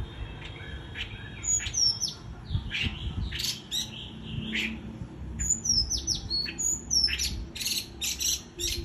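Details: White-eye in líu choè song, a lively mix of thin high whistles, descending slurs and rough buzzy chatter in quick bursts, with a constant low background rumble.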